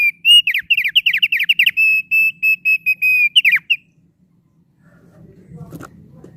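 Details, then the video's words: Thick-billed heleia singing briskly: a rapid chattering string of high whistles runs into a row of steady, even whistled notes, then stops, leaving quiet low background rumble. "Suara Burung Opior Paruh Tebal Gacor Merdu"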